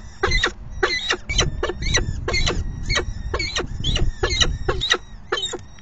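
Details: Falcon at the nest during the fifth feeding, 9 May 2020 at 4:40 PM: harsh, broadband chipping calls repeated roughly twice a second over steady low rumbling background noise.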